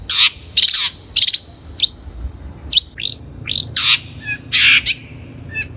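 A long-tailed shrike gives a varied song of harsh chattering bursts mixed with sharp, slurred whistles, delivered in quick irregular phrases.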